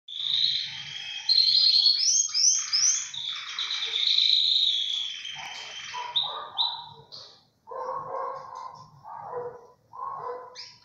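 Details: Tricolor Belgian canary singing in full flow: bright rolling trills and whistled phrases, high and sustained for the first half, then shorter, lower, buzzy notes in separate bursts with brief pauses.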